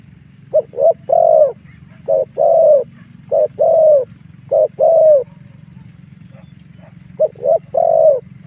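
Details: Spotted dove cooing as a lure to draw wild doves into fights; groups of short stuttering coos ending in a drawn-out coo, repeated several times, then a pause before another phrase, low rumble beneath.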